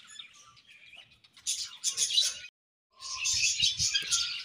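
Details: Pet budgerigars in a colony: dense, high, buzzy chatter and chirps in two bursts, separated by a short silence, with a soft low rustle underneath.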